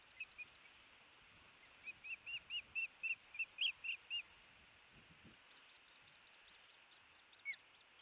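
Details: Osprey at a Hellgate nest camera on June 13, 2018, 4:30pm MDT, as the bird brings a big fish to the nest. A run of about eleven short, clear whistled chirps, roughly four per second, with scattered single notes before and after over faint steady hiss.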